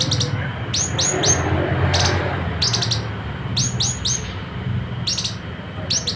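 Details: West Sulawesi citrine canary-flycatcher, a tutor for competition songbirds: short clusters of two to four high, downward-sweeping chirps about once a second, over a low rumbling background.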